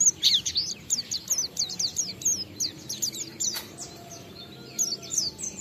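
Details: Oriental white-eye lure song to draw other white-eyes into singing: a fast, continuous tumble of high falling whistled notes over faint background hiss.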